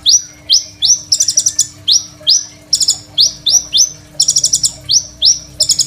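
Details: Phone recording of a Crimson sunbird in full voice, used as master song for young songbirds: sharp, high chirps alternating with harsh rattling buzzes, delivered in bursts roughly every second.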